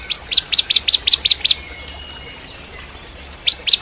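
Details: Crystal-type bar-winged prinia gives eight sharp high chips in quick succession, falls silent for two seconds, then starts again with two more. It is used as training song for magpie-robins.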